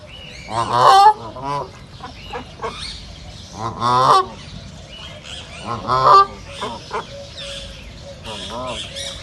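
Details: Reserve ducks give three main bursts of harsh, stacked quacks roughly two seconds apart, with softer scattered calls between them over a low background hiss.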